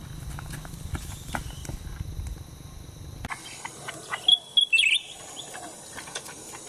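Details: Black-headed bulbul at a roadside, recorded while being trapped with a cage; after a noisy start, a few short, bright, high chirps come in a quick cluster, with clicks and background hiss.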